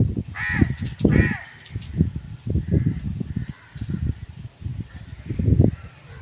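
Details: Crow giving two harsh, hoarse caws in quick succession near the start, followed by a low, rumbling background noise for the rest of the recording.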